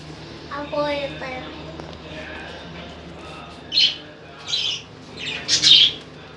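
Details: Lovebirds give three loud, harsh squawks in the second half, after a brief human voice at the start, with a low steady hum throughout.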